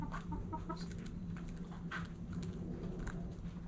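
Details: Backyard chickens at morning sunrise, with hens clucking and roosters crowing: short, soft, throaty clucks cluster in the first second, then scattered faint notes follow over a steady low hum and background noise.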